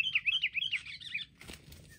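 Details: Wild sooty-headed bulbul, described as mobbing in a group and finally brought down: a quick run of bright, chirpy notes repeated about every tenth of a second for over a second, then a brief rustle of flapping wings.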